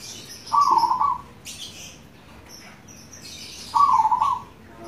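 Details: Two loud, trilled coos from a local zebra dove about three seconds apart, with faint high chirps of another bird between them, played as lure audio for caged doves.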